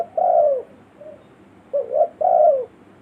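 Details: Spotted dove giving the village-style lure call meant for calling wild forest birds: a long falling coo, then a full phrase of a short doubled note followed by a drawn-out descending croo.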